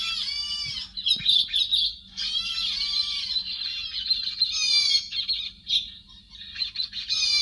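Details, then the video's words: Repeated grating squawks from a héc xoan bird, cleaned of background noise and used to call in flocks, each harsh note with a slight downward slur, delivered in uneven bursts. "Chim héc xoan, tiếng chim mp3 cho anh em dụ đàn"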